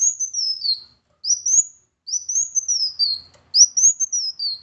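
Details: A Kolibri Wulung sunbird, recorded as a lure to get a quiet bird singing, gives very high, thin, sweeping phrases that rise briefly and slide downward, four in under five seconds, with short pauses between.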